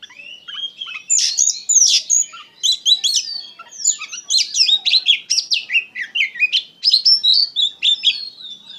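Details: White-rumped shama, a kept songbird, singing a dense, emotional song: rapid varied whistles, sharp chips and buzzy trills, mostly high-pitched phrases tumbling without pause.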